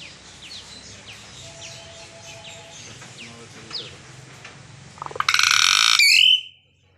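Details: Hill myna from Bangladesh, described as a talking bird: faint chirps of other small birds, then a loud, harsh, noisy burst lasting about a second, ending in a short clear whistle that breaks off abruptly.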